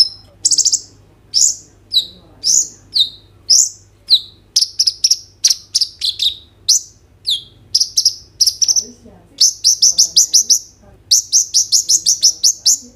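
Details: Loud gacor song of a kolibri ninja sunbird with roll and tembak fills, recorded on an Oppo A37f: steady series of high falling chirps speeding up into rapid repeated bursts, then rolling runs of quick notes toward the end.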